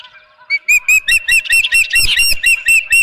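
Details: An Osprey at the Dunrovin Ranch nest, 23 April 2018 at 9:38 am, during a fish delivery: soft lead-in notes, then a quickening string of shrill whistled chirps, a dozen or so in under three seconds.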